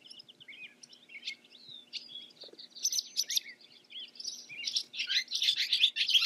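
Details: Barn swallow (Hirundo rustica), song.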